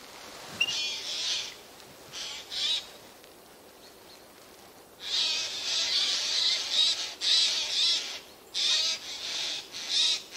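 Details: Eurasian jays calling out of sight in spruce trees on 13 September 2024; a few scattered rasping notes, then a dense stretch of rapid, overlapping harsh screeches.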